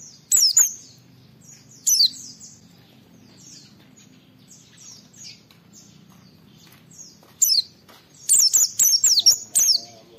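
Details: Oriental white-eye singing to provoke other white-eyes into answering: scattered sharp high chirps and faint thin twitters, ending in a loud rapid run of squeaky, downslurred notes.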